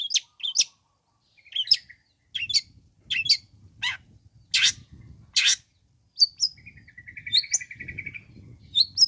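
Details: Long-tailed shrike song meant to stir other shrikes into calling: varied high squeaky notes, harsh bursts and a buzzy rattling trill, over a faint low rumbling background.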